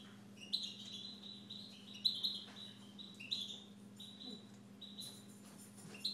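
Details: Pet Siberian goldfinch singing a run of high ringing notes, held whistles broken by sharp tinkling accents roughly once a second, over a low background hum.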